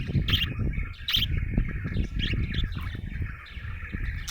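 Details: Happy budgerigar chirping: quick bright chirps and a scratchy warble over a steady deep rumble of background noise.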